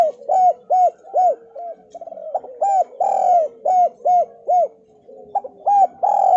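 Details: Javan spotted dove call played as a lure for lazy doves: repeated arched coos with a brief fluttering stutter, a long swelling note mid-phrase, and a softer sliding coo near the end.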